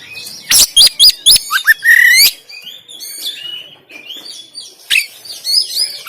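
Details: Oriental magpie-robin song in rough 'tembakan' style from Banten, recorded on an Android phone to get a lazy caged bird singing and spreading its tail. Rapid sharp shots open into a bright rising whistle, followed by quieter chattering and high trills.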